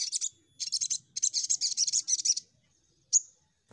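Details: Crimson sunbird lure recording to prompt birds to sing: dense high twittering phrases of rapid buzzy notes for over two seconds, then one sharp chip.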